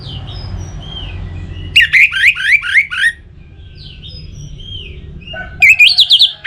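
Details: Song of an Orange-headed thrush, played to encourage singing in other birds: a fast run of sharp, twisting whistled notes, a quiet gap with a soft low rumble, then another brief rising, trilling burst.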